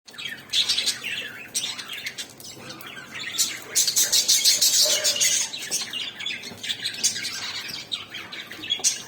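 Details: Pet budgerigars making happy sounds while eating, chattering in a steady stream of high, scratchy chirps and squawks.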